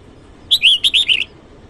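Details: Red-whiskered bulbul sings at dawn hours a rapid series of five or six ringing, slurred whistles, evenly spaced and bright, standing out over a quiet background.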